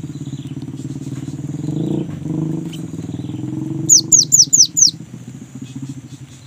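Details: A young great tit's rolling song, used as a lure to set kept great tits singing, sounds over a loud droning engine: a quick series of five high, falling whistled notes.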